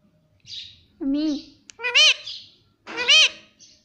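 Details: Talking parrot saying words such as mummy and papa: three loud voice-like syllables about a second apart, the later two higher and arched, between soft high chirps.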